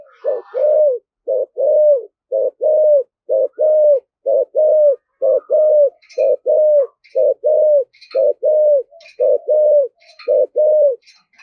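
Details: Spotted dove, described as very fierce in thổ-voiced thúc gù cooing, producing a steady, unbroken run of deep, hoarse, arched coos about once a second, with faint high clicks and scratches in the background.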